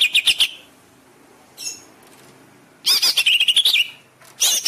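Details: Greater green leafbird song for training caged birds: short bursts of repeated bright chirps separated by quiet stretches, with a brief faint note between.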